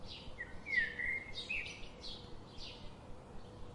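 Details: Garden birds, daily visitors, chirping: a short run of high twittering notes near the middle, with faint soft calls around it over steady low background noise.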